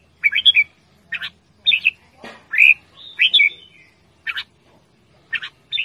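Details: Red-whiskered bulbul kept as a pet, calling loudly and cheerfully: spaced clusters of sharp chirps and short whistled slurs, a brief rustling noise partway through.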